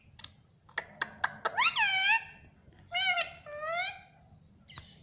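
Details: Pet parrot talking, saying mummy: a series of rapid clicks leading into a rising voiced syllable, then two wavering syllables a second later and a final short note, over faint background noise.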